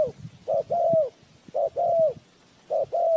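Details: Trapping-lure spotted dove cooing clearly: a short note followed by a long, slightly falling coo, repeated three times, with faint low taps between phrases.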